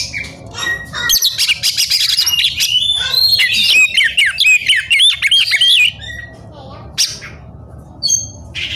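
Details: Oriental magpie-robin in fierce rival-seeking song; a long rapid torrent of chattering, mimicking whistled notes for about five seconds, then sparse clicks and short whistles.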